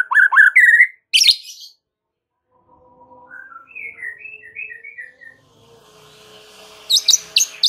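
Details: White-rumped shama masteran song, played to make listening murai batu respond: loud chattering notes and a sharp burst open, then quiet warbled whistles, and finally a loud series of harsh clipped notes.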